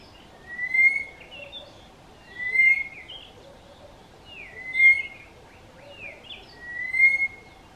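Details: Southern boubou calling its mate, which is too far away to reply. The bird keeps calling for about three minutes. Clear whistled notes, each followed by short higher slurred notes, repeat about every two seconds over quiet background.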